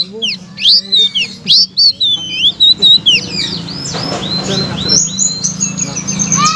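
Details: Blue-crowned laughingthrush song offered as a master track to get silent shamas, magpie-robins and leafbirds singing; varied high slurred chirps and whistles in an uneven series, some overlapping, above a buzzing low background.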